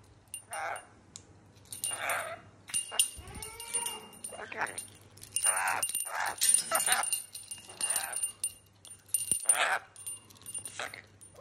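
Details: A pet rainbow lorikeet named Skittles chatters in short, husky, speech-like bursts ("hello", "g'day") with a few squeaky rising-and-falling whistles, under a faint steady hum.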